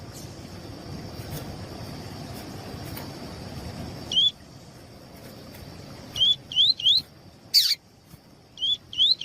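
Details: A captive Double-collared seedeater (coleiro tui-tui, Sporophila caerulescens), in a recording of a female calling to warm up a cold male, gives short, high, upslurred chips, singly or in quick pairs, over a steady high hiss and low background rumble.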